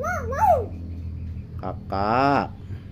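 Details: Captive hill myna imitating human talk: a wavering, voice-like warble, then after a pause a short click and a loud, harmonic, speech-like phrase that rises and falls. Low hum runs underneath.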